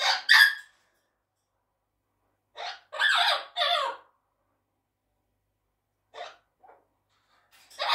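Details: Grey parrot kept as a pet, giving short squeaky, harsh calls in separate bursts with long silent gaps, heard indoors.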